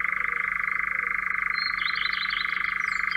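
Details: A European Nightjar in Central Russia churrs in a steady, dry, rapid mechanical trill that runs unbroken throughout, while another bird twitters faintly and high above it.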